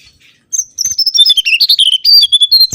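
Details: Lure recording of a mangrove whistler: a loud, rapid sequence of sharp whistled and chirping notes, rising and falling, delivered in quick pulses for about two seconds with no other clear sounds.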